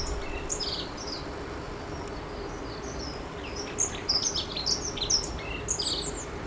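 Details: Long-tailed tit: sparse high thin chirps early, then a livelier cluster of short high calls in the second half, over steady hum.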